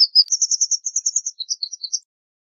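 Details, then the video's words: White wagtail singing a rapid, continuous twitter of high, sharp notes for about two seconds, the notes running together at a fast even pace and then breaking into a few varied chirps. "White Wagtail Song! White Wagtail Call! White Wagtail Sound- Lavandera Blanca Canto - Motacilla Alba"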